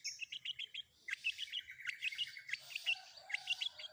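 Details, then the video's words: Combination fill-in song of a long-tailed shrike for training kept birds: rapid clusters of high chirps and trills, partly overlapping, with a scratchy texture and brief pauses between bursts. "Cendet Manapun Bakalan Langsung Nyaut Dengar Suara Isian Kombinasi Cendet Cendet ini"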